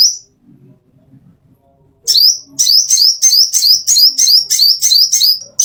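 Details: Master song of a plain-throated sunbird for training caged birds: after a quiet start, a steady run of sharp, high, upward-sweeping chirps repeated about three times a second.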